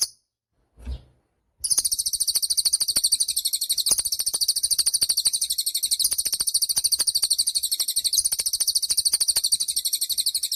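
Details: Actively singing cililin bird, recorded to train songbirds: after a brief thump and silence, a sustained piercing trill of quick, even pulses runs steadily for about nine seconds.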